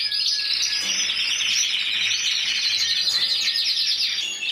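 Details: Intense yellow canary, 2014 Spanish individual champion, singing high rapid rolling trills with a few short clicks, ending in a softer fade.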